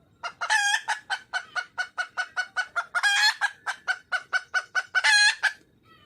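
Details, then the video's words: Hen red junglefowl in the wild calling for a mate: a steady, rhythmic chain of short clucks, roughly four per second, broken by three longer, louder, harsh cackles spread through the series. "le bruit d'une poule sauvage,เสียงไก่ป่าร้องหาถู่หาตัวผู้,ສຽງໄກ່ປ່າຮ້ອງຫາຄູ່ຮັກ, poj qaib qus see"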